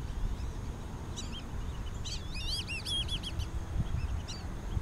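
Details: Black-bellied whistling ducks with juveniles at Twin Lakes in Diamondhead, Mississippi, in 2017. A cluster of clear, arching, whistled notes comes in a quick burst mid-clip, with a few faint whistles later over a steady low outdoor rumble.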